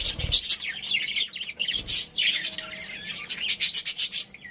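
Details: Budgerigar breeding pair chirping, high scratchy chatter ending in a quick run of sharp repeated chirps.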